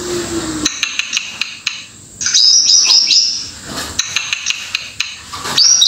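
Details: White-rumped shama from Indonesia, one of several regional types, singing: sharp, high ticking notes in quick irregular series, a burst of bright rapid chattering trills mid-way and a high rising whistle near the end, after a brief low hum at the start.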